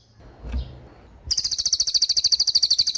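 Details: Common iora in lively 'roll speed' song, a tutor recording for songbirds: after a second of quiet with a soft thump, a rapid, very high, evenly pulsed trill begins and runs to the end.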